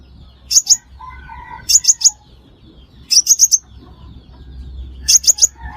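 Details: Sunbird call used as a trapping lure: groups of three or four piercing high chips, repeated roughly every one and a half seconds, with faint lower whistles in the gaps.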